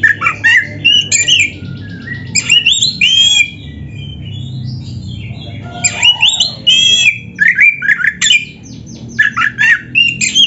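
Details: Indonesian kacer, the oriental magpie-robin, in a gacor song packed with isian: rapid runs of shrill whistles, raspy chatters and squeaky rising notes, with a quieter pause near the middle before loud phrases resume.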